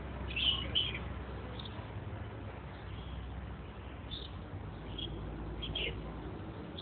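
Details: Red-whiskered bulbul giving short, bright chirped notes: a quick pair near the start, then scattered single notes spaced a second or so apart, over a steady low background hum.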